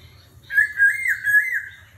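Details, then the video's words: Laughingthrush in combative song with a forest voice, switching phrases continuously: one smooth, wavering whistled phrase lasting about a second, over faint low rumbling. "Khướu hót giọng rừng - hót đấu - đảo giọng liên tục - kéo thuốc lào"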